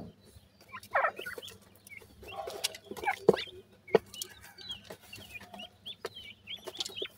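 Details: Several grey francolin chicks peep in short, high, slurred whistles, repeated unevenly about every second, with a few louder rasping bursts and knocks in the background.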